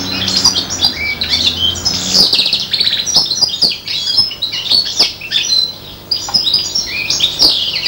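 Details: Goldfinch-style song from a five-month-old serin and bronze canary cross: a lively run of high chirps, short whistles and buzzy twitters, with a quick lull around six seconds.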